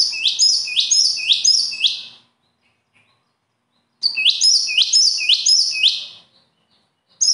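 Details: Bird song in brisk repeated bursts: quick strings of high, sharply rising notes lasting about two seconds, with a pause before each restart and another burst beginning at the end.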